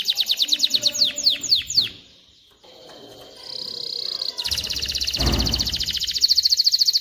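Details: Canary singing to teach young birds and ready females for mating: a run of quick falling slurs, a pause, a soft buzzy note, then a long fast trill with a brief low thump.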